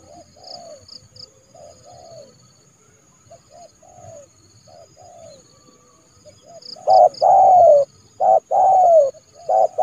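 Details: Spotted dove decoy calling a rival into a yard trap, January: faint distant coos answer at first, then loud close phrases of clipped notes and long falling coos, with high thin chirps overhead.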